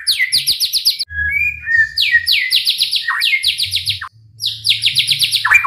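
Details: White-rumped shama song meant to stir other shamas to sing, made of fast rattling series of high downslurred notes alternating with lower whistled slides and short pauses, over a soft low hum.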